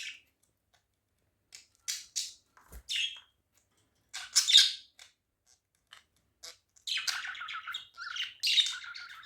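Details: Budgerigars (Melopsittacus undulatus) give chatter calls, harsh squawks and quick high chirps in irregular bursts.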